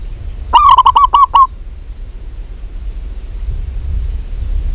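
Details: Singing local zebra dove: a single phrase of around seven rapid, mellow cooing notes near the start, followed by quiet low-level background noise.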